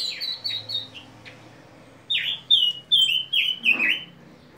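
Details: Common Nightingale singing in 2019, loud, clear phrases: a quick run of repeated high notes, a pause, then a series of rich, swooping downslurred whistles.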